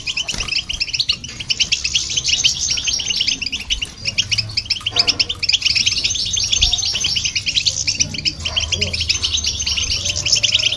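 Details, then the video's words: Goldfinch singing with a hybrid to irritate and stimulate listening birds; energetic, tightly packed chirping and twittering phrases, loudest in bursts, over a faint low hum. "Goldfinch And The Hybrid To Hear And irritate The Birds"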